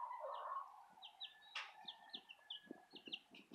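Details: Southern Rambler and Golden Comet chicks: clear high chirps repeated in quick succession, with a lower rumbling sound at the start and soft tapping sounds beneath the peeps.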